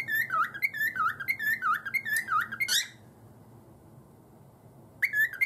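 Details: Caged pet cockatiel, busy banging its cage before whistling: a run of clear whistled notes, each sliding down and back up, repeated about once a second for three seconds, then a pause and another whistle starting.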